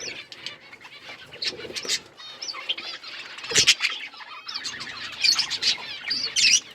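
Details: Pet budgies chirp in scattered bursts of high, scratchy twitters and short whistles, with a sharp knock partway through.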